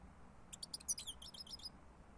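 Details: European goldfinch singing: a quick twittering run of high, clipped chirps and short trills lasting about a second, close and clear over a quiet low hum.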